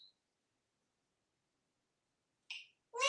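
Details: A male African grey parrot, hatched June 1997 and kept indoors in Texas, gives a convincing cat-like meow, a rising then falling nasal wail, after a brief squeaky note. He also says "kitty cat"; the house is otherwise quiet.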